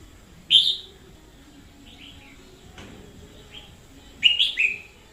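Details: Red-whiskered bulbul used as a decoy, singing fiercely in 2021: a sharp, loud opening note, faint soft notes during a long quiet gap, then a closing flurry of bright, rippling warbles.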